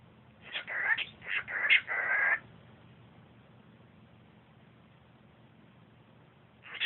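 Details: Pet cockatiel singing to a Siamese cat: one quick whistled phrase of several short notes and a held tone, then near silence over a faint low hum, with another note starting at the very end.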